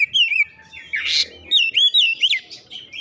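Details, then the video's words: Oriental magpie-robin song mimicking Java sparrow, warbled whistles interrupted by a harsh scratchy note, then more looping whistled phrases. "kicauan Kacer isian gelatik batu"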